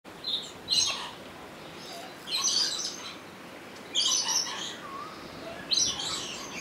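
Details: Rainbow lorikeet at Opole Zoo, captured on a Sony HDR-XR160E camcorder: harsh, grating high screeches in four separate bursts about every one and a half seconds, with faint chirps between them.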